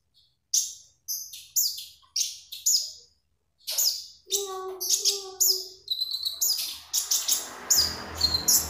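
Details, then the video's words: Magpie robin in full song, for use as a training lure: evenly spaced high sharp notes about every half second, a pause, then denser buzzy phrases, with faint lower warbles and rising background noise at the end. "KONIN GACOR SUARA ASLI ORIGINAL//ampuh buat master||pancingan"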